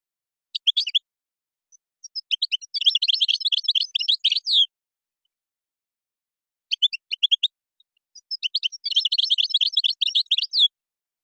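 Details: Goldfinch in Moroccan song style (gazrat, srrr bertbertio) delivers two bouts, each opening with a few scattered sharp notes before a dense, fast stream of high twittering chirps and a falling final note; background completely quiet.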